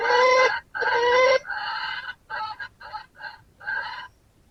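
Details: Red junglefowl crowing in answer to a decoy rooster. Two loud, drawn-out harmonic crows come first, followed by a run of shorter, choppy broken phrases that fade in strength.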